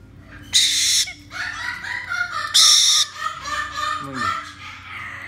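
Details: A single hand-fed male white-bellied caique, about one month old, gives two loud, harsh screeches about two seconds apart, with softer chattering and squeaky notes between them.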